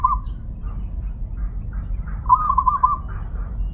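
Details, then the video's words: Zebra dove with a 'crystal' voice: a brief coo at the start, then a longer run of rapid, rolling, bead-like coos near the end, against low rumble and a steady faint high whine. "perkutut suara keristal"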